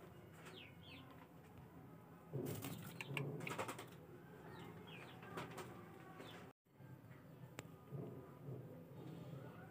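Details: Java sparrow giving short, thin chirps that sweep upward, repeated in small bursts, with a loud flurry of wing flapping midway over a steady low hum.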